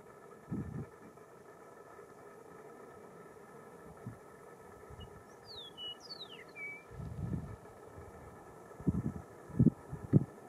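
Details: A Chihuahuan meadowlark at Las Cienegas National Conservation Area on 26 March 2023 gives a brief, high run of clear sliding whistles midway through, set against low rumbling wind and handling thumps.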